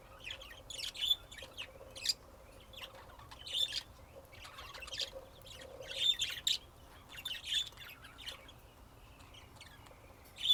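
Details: Continuous budgerigar chatter of high chirps and short whistles, with louder peaks every second or so, across a quiet background.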